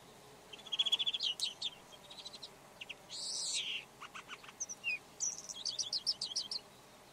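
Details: Red-backed shrike in mixed song: buzzy trills, a harsh hissy phrase, lower clipped notes and a closing fast chatter, in a rich scratchy medley.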